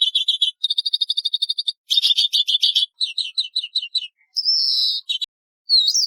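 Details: Daurian redstart delivering bursts of fast, high, ticking trills, each run of repeated notes lasting about a second. Between runs come scratchy clustered notes and a drawn-out buzzy whistle, separated by brief silences.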